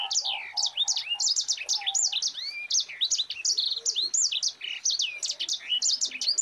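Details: Long, tightly packed song from a Mozambique canary: sharp high chirps and curving whistles delivered nonstop, the gacor rolling style used as a tutor for other birds.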